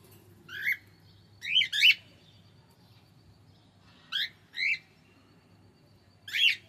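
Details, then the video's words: Cockatiel uttering sharp, high chirps singly and in quick pairs, each note swooping up and down in pitch, irregularly spaced over several seconds; low indoor hum underneath. "Cockatiel Singing"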